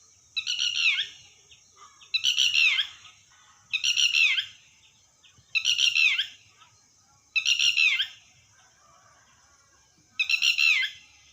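Red-wattled lapwing giving loud, shrill, piping bursts of stuttered notes, repeated roughly every two seconds, over a steady high insect hiss.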